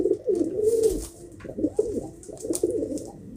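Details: Pigeons coo in a continuous low, warbling rumble, with short throaty pulses and a few soft clicks.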